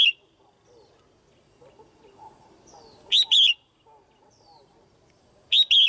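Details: Female red-whiskered bulbul, a cage bird, giving her call to excite males or find a mate: a clear two-part phrase, a sharp chip then a ringing slurred whistle, repeated about every two and a half seconds over quiet background noise.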